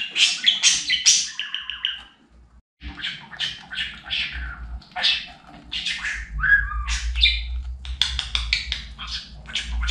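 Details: Pet budgerigar taught to talk chatters in quick buzzy syllables and chirps, pausing briefly after two seconds, then resuming with mixed warbles and a faint low background hum.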